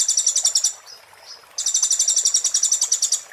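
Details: Oriental white-eye performing the 'muntah beling' song style, recorded as a tutor song for magpie-robins: two bursts of rapid shrill trilled notes, about three or four notes a second, split by a soft thin whistle.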